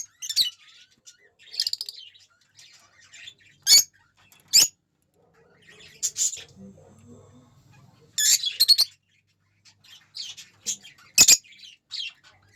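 Lovebirds chatter in high, shrill chirps and twitters, broken every few seconds by sharp, harsh squawks; a faint low murmur is heard in the middle.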